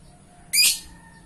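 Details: A lovebird in gacor form gives one sharp, shrill, rasping squeak, brief and loud, then falls silent against faint low hum.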